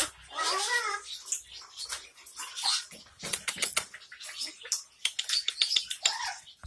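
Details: Hand-reared baby Amazon parrot, now talking, indoors: raspy, harmonic squawking chatter in short phrases broken by noisy hissing bursts and sharp clicks, with some speech-like sounds.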